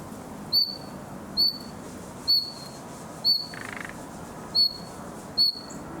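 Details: A young common nightingale practises singing in summer, giving seven short, bright, high whistles at a steady, slightly uneven pace, with a brief buzzy burst between the fourth and fifth notes.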